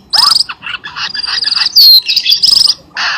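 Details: Cucak keling lure recording meant to make a quiet pet bird sing: dense, harsh chattering phrases with quick trills and a bright descending whistle, nearly continuous.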